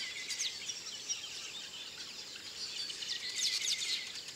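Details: Several Village weavers (Ploceus cucullatus graueri) in Akagera National Park, Rwanda, in March 2013, call at once in a dense, high, buzzy jumble of sizzling notes and short squeaks with no clear pauses.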